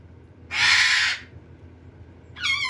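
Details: A baby red-sided eclectus being hand-fed gives a harsh, raspy squawk lasting under a second, then starts a second grating call after a short pause.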